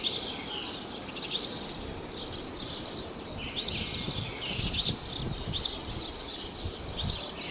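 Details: At Praia de Pipa, Tibau do Sul, Rio Grande do Norte, Brazil, a house sparrow (Passer domesticus) repeats short high chirps about once a second, with some softer chatter in between and faint rustling in the background.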